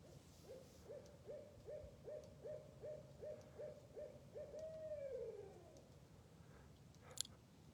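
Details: Wild barred owl calling near a Wisconsin nature center during nesting and territory-claiming season: around ten clipped, even hoots in quick succession, then a long drawn-out hoot that slides downward, followed by a sharp click.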